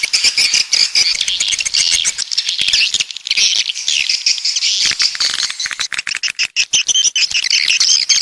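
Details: Coastal-type swiftlet sound, walet pantai from the south: a thick wash of high chirping overlaid by rapid dry clicking, a brief lull near the middle before the chatter resumes.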